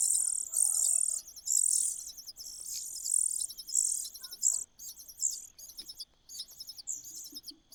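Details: High, hissing bursts from a cuckoo in the nest, loud at first, then shorter and more broken, roughly one per second.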